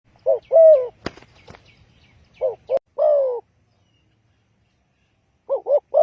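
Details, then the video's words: Spotted dove call, used as a lure for trapping: a pair of short wavering coos, then a longer descending croon, repeated in loose phrases. Two sharp clicks break in early, and a faint low rumble sits underneath. "Chim cu gáy chiêu kích mồi tập bổi nhanh nổi hiệu quả"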